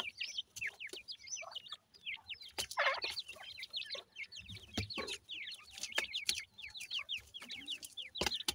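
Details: Many grey francolin chicks, the Pakistani teetar, foraging in their natural habitat: dense chorus of tiny high chirps, each sliding upward, pouring out almost continuously with a few sharp clicks and taps mixed in.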